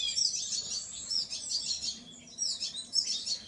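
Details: Painted bunting song: two bright, high warbled phrases of fast chirping notes separated by a brief dip, over a quiet low hum.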